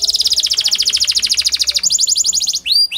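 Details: Canary song used as a lure to prompt lazy canaries to sing: a fast, even trill of bright notes about twenty per second, then a slower run of chirps and two clear rising whistles at the end.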